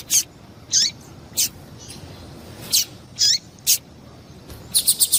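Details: Female double-collared seedeater calling to excite and stimulate caged males: sharp, high chirps and downward-swooping notes spaced roughly half a second apart, ending with a quick run of four ticking notes; faint background hiss.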